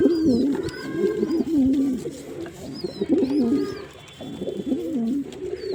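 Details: Male pigeon cooing, deep wavering coos rising and falling repeated in bursts about every one to two seconds, with faint high chirps of small birds in the background.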